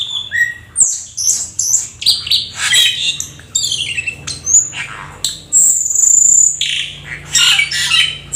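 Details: Black-winged starling, a rare exotic bird, in full, lively song: dense harsh chatter and squawks mixed with sliding whistles and a sustained piercing high whistle near the end.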